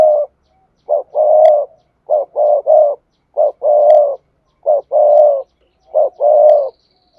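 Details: Spotted dove decoy song, played from a speaker to stir rival males into cooing. Low cooing phrases repeat roughly every 1.3 seconds: one or two short notes, then a longer drawn-out coo. No other sounds.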